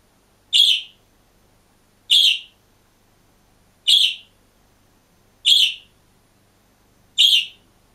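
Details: Green budgerigar caged alone, calling with five evenly spaced, loud, short chirps about every one and a half seconds against silence.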